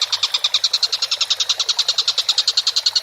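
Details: Collared kingfisher (tengkek buto) on an actively calling masteran recording: a quick, harsh, clipped chatter with notes repeated about nine times a second, loud and regular across three seconds.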